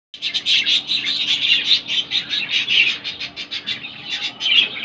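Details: Exhibition budgerigars chatter continuously in busy, high-pitched warbles and chirps.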